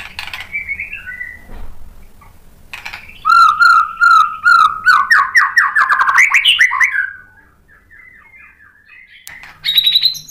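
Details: Song of a white-rumped shama, played to rouse another bird to sing back: a steady series of rich mid-pitched whistles building into a quick rising rattle of notes, then softer scattered phrases and a final high trill.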